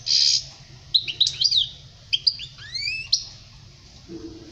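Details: Short European goldfinch song phrase, 2020, recorded for young birds to learn from: a bright opening chirp, then scattered twitters and rising slurred whistles, with a faint low call at the end.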